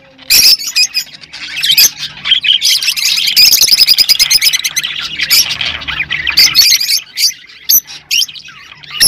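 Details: Rosy-faced and Fischer's lovebirds singing to encourage mating: dense, high-pitched chattering with squeaky chirps, rapid trills and harsh squawks running almost without a break for nine seconds.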